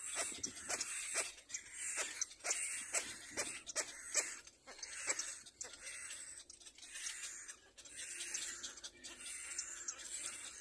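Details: Little Black Cormorant chick learning to preen itself gives harsh, wheezy rasps in quick bursts, roughly two or three a second, with a brief spoken word nearby.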